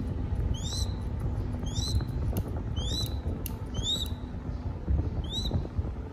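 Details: Crested goshawk chick in Cambodia, being fed, gives a series of five thin rising whistled squeals, roughly one per second with a gap before the last, against constant low-pitched background hum.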